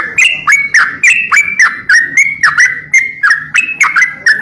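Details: Greater green leafbird singing vigorously in a training recording for songbirds: fast, uneven series of clear whistled notes near one pitch, each opening with a sharp click, often slurring down or up, about three to four notes a second.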